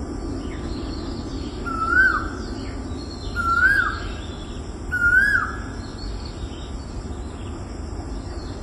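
An Asian koel gives three loud, rising whistled 'ko-el' notes, about one every one and a half seconds, over a steady low rumble of background noise.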